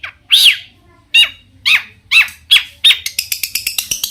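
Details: Long-tailed shrike song meant to make other shrikes answer: loud, arching, squealing notes spaced about half a second apart, followed by a rapid series of sharp high ticks.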